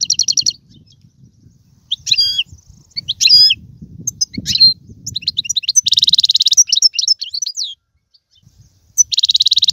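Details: Goldfinch song in tiwawati, galoubi and serfati styles. It opens and closes with dense buzzy trills and has scattered sharp twitters in between, with a gap of near silence. A soft low background murmur is present.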